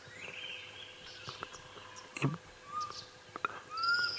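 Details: An unseen Black Cuckoo calling from overhead at sunrise on 4 November 2016, during a safari drive in northeastern South Africa, gives a few mournful whistled notes, the last drawn out and rising, like "I'm so sad", over background noise and other bird chirps.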